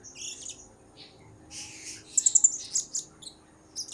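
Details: Blue-crowned hanging parrot calling actively, a lure recording: soft high twitters, then a quick series of four sharp, very high ticking notes, followed by a few scattered shrill chirps.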